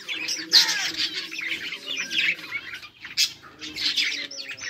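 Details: Budgerigar colony, 24 July 2023, birds playing: continuous high-pitched warbling chatter with bursts of louder chirps and a faint low hum underneath.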